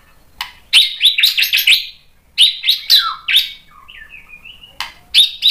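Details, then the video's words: White-rumped shama, song to provoke other shamas; rapid series of high chattering notes, a descending slurred whistle, soft warbled notes and more chatter. "MURAI BATU GACOR MEMANCING EMOSI jadi NYAUT BUNYI BONGKAR MATERI ISIAN | PANCINGAN MURAI"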